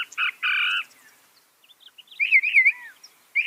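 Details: Northern mockingbird imitating other birds, said to manage 200 different sounds: two short buzzy rasping notes, a pause, then a warbled run of looping whistled notes with a brief rasp at the close.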